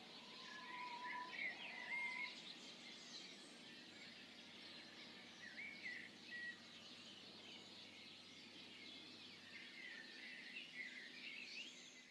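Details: Birds singing in the morning dawn chorus: scattered short whistles and chirps from several birds over a steady low hum. A lower, level whistled note sounds twice near the start, and high thin notes follow throughout.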